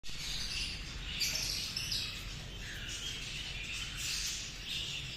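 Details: Cockatiel giving high, slurred chirping calls in short bursts, with a lower note near the middle, over a steady low background hum.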